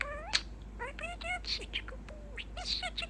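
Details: Talking pet budgerigar, a male, close to the listener, saying "What Bird?" among mixed phrases; rapid chirpy, buzzy syllables with sliding pitch, tightly packed.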